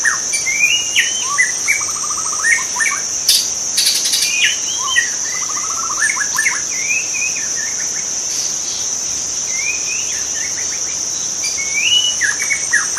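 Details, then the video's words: Wild white-rumped shama song in natural habitat: varied whistles, rapid trills and slurred notes in bursts, with a constant high-pitched insect hum throughout. "kicau murai batu di alam liar"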